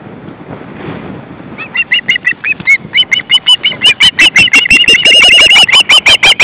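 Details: Osprey family of two adults and three chicks at the nest, August 2012: whistled calls begin hesitantly, then build into an intense, dense rattle of piercing notes, with a second caller overlapping.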